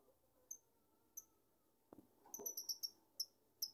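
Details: A beloved pet lovebird gives two spaced piercing chirps, then after a brief knock a fast burst of shrill high notes, several per second, in a quiet room.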